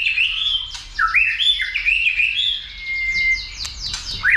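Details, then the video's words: Trained White-rumped shama, excited into song and combat display with tail flicking: a continuous rich warble of looping whistled slurs, one long steady whistle near the end, then a sharp upward sweep. "Kích Chòe lửa Lên Lửa, hót nhiều,chòe lửa đánh đuôi kích đấu .luyện chòe lửa hót nhiều giọng"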